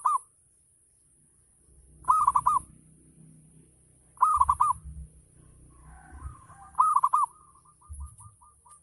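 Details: Local zebra dove singing in the ngayer style, a lure to prompt other doves to answer: four bubbling, rolling coo phrases about two seconds apart, the last followed by a trailing run of short soft notes, with low thumps underneath.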